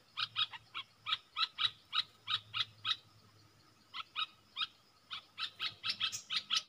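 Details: In a song duel between a caged bulbul and wild birds on 3 October 2021, crisp chirped notes come in rapid runs, pause briefly, then return faster and more crowded toward the end over a soft low hum.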